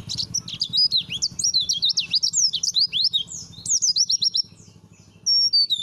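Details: White-eye song as training material, Langa Lingi style: a dense, continuous run of varied high whistled and chirping notes, rising and falling, followed by a brief lull and a final short phrase.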